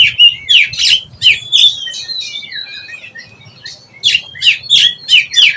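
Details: Young oriental magpie-robin learning the ngeplong song style. Loud bursts of sharp chirps and squeaky slurred whistles come in quick phrases about three times a second. A quieter, warbled stretch sits in the middle, then strong repeated notes return.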